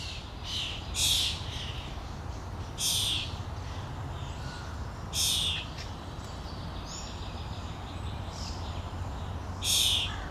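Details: Common starling fledgling begging while being fed by a parent on a lawn in Helsinki, Finland, in June; four harsh, hissing rasps, spaced roughly two to four seconds apart, over a steady low background hum.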